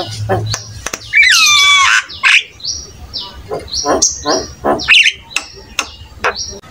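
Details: Javan myna in full song for prompting other starlings: a long wavering nasal whistle, then harsh rasps alternating with brief high flat whistles, about three notes every two seconds.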